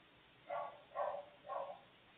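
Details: Maritaca parrot nestling on a live nest camera giving three evenly spaced, raspy, nasal calls about half a second apart, each with a buzzy harmonic tone, over low background hiss.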